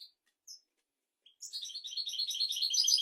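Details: Royal European goldfinch song, used to teach goldfinches and canaries: after a few isolated high chirps and a pause, a loud, rapid, continuous tinkling twitter swells and keeps building.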